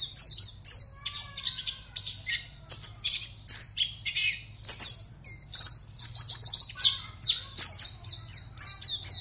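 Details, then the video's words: Contest Oriental white-eye from West Kalimantan pouring out a steady, fast warble of very high chirps and slurred whistles, barely pausing for breath. "LOMBA PLECI ONLINE 52 - Aksi Pleci"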